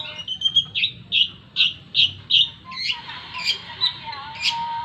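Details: Long-tailed shrike singing energetically: a run of about six evenly spaced, bright piping notes, followed by a rougher, jumbled phrase and a lower, sustained whistled tone near the end.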